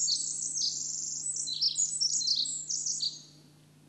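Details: Pacific wren, formerly called winter wren, belting out a long, rapid song of high tinkling trills and twittering notes, tumbling continuously for about three seconds before stopping abruptly; a faint steady low hum lies underneath.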